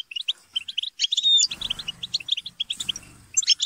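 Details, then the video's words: European goldfinches chatter and squabble together to stimulate singing: rhythmic runs of sharp twittering chirps, a clear whistled slur, and low background rumbling in the middle. "بتبتة وتستسة وشجار الحسون - اقوى بتبتة جماعية لتحفيز الحسون على التغريد - بتبتة وشجار لتحفيز حسونك"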